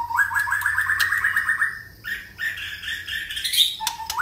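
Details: White-rumped shama singing many voices: a fast rattling series of clipped notes rising slightly, then varied whistled phrases stepping higher, ending with a sharp high note and a low whistle.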